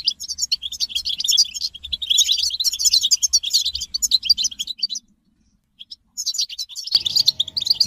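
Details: Group twittering of European goldfinches, mating calls used to stimulate male singing. Rapid high chirping fills five seconds, then a brief silence, then the twittering resumes, joined by a faint steady hum.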